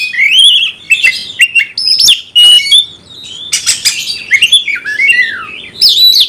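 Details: Oriental magpie-robin, a kept songbird in full song, played to provoke rivals to fight: rich varied whistles, rising and falling slurs and sharp chirps in quick bursts, with brief pauses between phrases.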